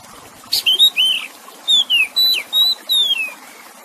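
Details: Kacer (Oriental magpie-robin) song with trickling water: a sharp click-like burst, then rich whistles, some rising and some sliding down, each note well separated, ending in a long descending whistle; intended to calm stressed birds.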